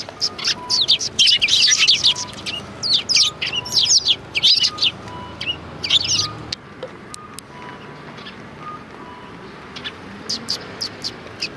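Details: Sparrows at a Tenmangu shrine on 4 March 2020 chirp excitedly in dense high bursts, which thin to sparse, faint tweets in the second half.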